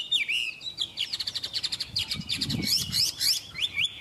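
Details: Chinese hwamei kept by a bird trader. It sings a fast chattering trill of rapid repeated notes between whistled swoops, with a faint low thump partway through.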